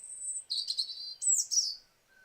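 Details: European robin song, which can be heard year round: a high, sweet phrase of a thin sustained whistle, then quick tumbling warbled notes, ending in a brief pause. It sings and pauses like a blackbird but is much higher-pitched.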